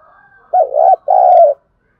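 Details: Spotted dove call used as a lure for training wild doves: a soft low hum leads into a two-part coo, the second phrase longer and steady.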